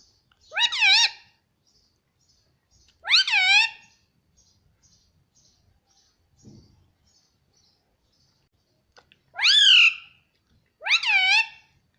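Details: Pet Indian ringneck parrot repeating the word "mummy": four short, harsh, rising-falling utterances spread over twelve seconds with long quiet gaps and a brief low knock in the middle.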